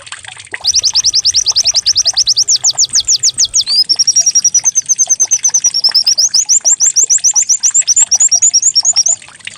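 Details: White-eye song used to coax a bird into singing: a fast rattling series of high downslurred notes, a continuous thin trill, then bright rising chirps repeated quickly.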